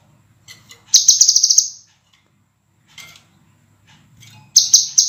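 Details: Master recording for cage-bird training of a scarlet minivet singing clear, dense and sharp: a loud, high burst of rapid buzzy notes almost a second long, a faint soft call, then another burst starting.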